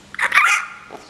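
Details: Common hill myna, a pet filmed in May 2015, straining to speak with its owner, gives a loud, abrupt, bark-like squawk, rasping and rich in overtones, followed by a faint short note.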